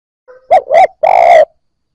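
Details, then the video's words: Spotted dove, a newly caught bird just starting to coo, used to stimulate other new captives: a faint short lead-in note, two quick low hooting notes, then one longer drawn-out coo, all clean against silence. "Cu gáy bổi mới nổi gáy / Tiếng cu gáy kích bổi nhanh nổi"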